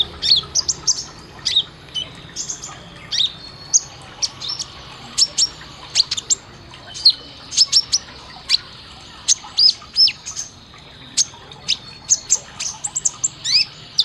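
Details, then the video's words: Olive-backed sunbird song used as a master training recording for caged birds, with sharp 'tembakan' shot phrases: rapid high, thin chirps and brief sweeping whistles in quick irregular bursts throughout, over a quiet background. "Isian Tembakan Suara masteran kolibri ninja konin Gacor Tajam"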